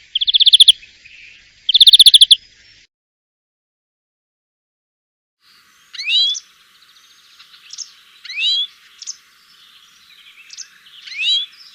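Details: European Greenfinch: two short buzzy wheezes at the start, then after a pause a scattered series of quick rising chirps and twittering notes.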